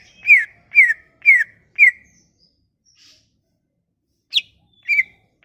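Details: Sumatran leafbird song, used to lure leafbirds that have gone quiet: four rapid, evenly spaced downslurred whistles, then after a silence a few sharper scattered notes.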